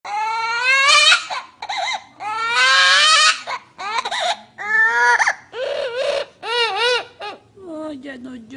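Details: Green parrot crying like a little baby: drawn-out wailing cries with strong harmonics, rising then falling, each lasting about a second and coming in a loose series, ending in a lower, sobbing note.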